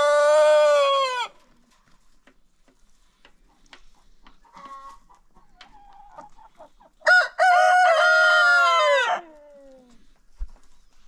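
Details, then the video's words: Crowing contest among farm roosters after breakfast: the tail of one crow opens the clip, then faint clucking, then a full crow with a short first note and a sustained, slightly falling second part. "roosters crowing.... contest"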